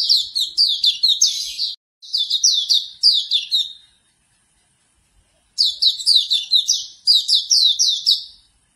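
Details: High, sweet chattering of a Hume's white-eye, used as morning playback so another bird starts singing; rapid falling chirps grouped in short bursts, then a silent gap of over a second before two more lively bursts.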